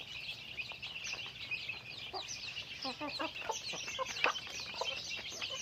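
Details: Chickens in daily activity, a burst of quick clucks clustered mid-clip over continuous high-pitched chirping and twittering throughout.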